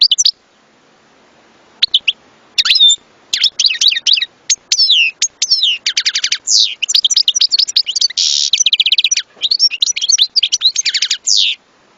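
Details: Extended goldfinch song: scattered chirps building into a continuous, rapid medley of tinkling notes, buzzy rattles and trills over ten seconds.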